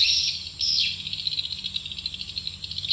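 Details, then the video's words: Swiftlet call played to attract swiftlets to a nest building: dense, buzzy chirping twitter held high, with short breaks and a hum underneath. "Suara panggill burung walaet"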